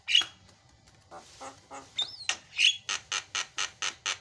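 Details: Javan myna song played as a lure to prompt a silent bird to sing: a rough buzzy start, a rising whistle, then a train of harsh chattering notes about five per second.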